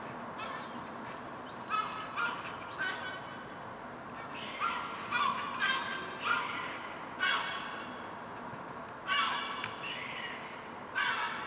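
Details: Gulls on a rooftop, fluffy young being fed by their mother; short nasal, harmonic calls come in separate bursts every one to two seconds over a steady background hiss.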